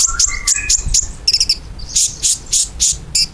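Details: Ruby-cheeked sunbird singing as a lure to make pet sunbirds answer: high, thin chirps repeated roughly every quarter second, with short squeaky trills and lower twittering notes mixed in.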